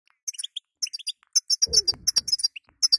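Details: Female European goldfinch calls, known locally as batbata, played to stimulate a weak male to sing: short, bright, chirpy notes in loose bursts, with brief low thumps near the middle.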